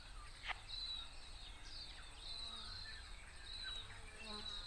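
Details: A tomtit (miromiro) in late autumn in the Maungakotukutuku Valley, New Zealand, gives thin, very high, drawn-out calls several times, each a faint level whistle, over a steady low rumble of wind or distant noise.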